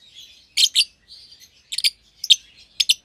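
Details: Young lovebird pair, euwing green opaline and red-eyed albino, in a cage for one pair: crisp high chirps in quick pairs roughly every half second, with soft buzzy twitter between.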